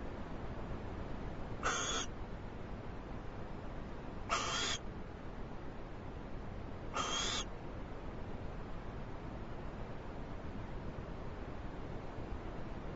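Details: Owl receiving a big treat and eating it quickly, producing three brief raspy hiss-like bursts spaced roughly two and a half seconds apart, with constant low-pitched hum throughout.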